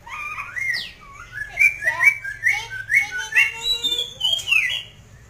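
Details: Masked laughingthrush in vigorous full song, a rich run of loud whistled and squawking notes, slurred rising and falling phrases packed closely over five seconds, with a low steady hum underneath.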